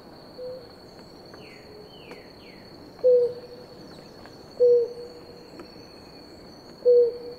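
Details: A pair of Blue ground doves drinking water gives short, low, hollow hooting notes, four in all, spaced irregularly one and a half to two seconds apart, over a steady high insect-like whine, with faint downslurred notes from another bird early on.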